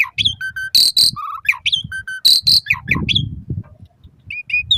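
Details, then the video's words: Asian pied starling, song used to coax caged birds into singing at dawn and dusk: loud harsh screeching bursts alternating with low flat whistles, downslurred chirps and rapid chattering, some low rumbling beneath. "Suara Kicau Jalak Suren Terapi Pancingan Burung Jalak Saat Pagi Maupun Sore Agar Cepat Gacor Isian"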